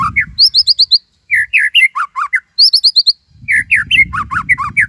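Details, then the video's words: Energetic white-rumped shama song, the tembakan Cililin style, with loud slurred whistles alternating with rapid high chips in quick phrases separated by brief pauses. "Murai Gacor !! tembakan Cililin"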